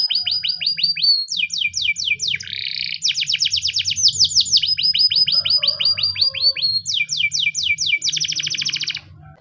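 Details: Spanish timbrado canary in a morning training song: continuous rolling trills of fast descending notes, a brief buzzy burst, and long even runs of clipped repeated notes, fading at the close; faint low hum.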